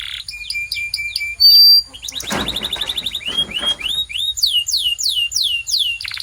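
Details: Canary song meant for coaching other canaries: repeated looping whistles, a bright sustained note, a brief noisy burst, then a series of clear downward-sweeping notes delivered in quick succession.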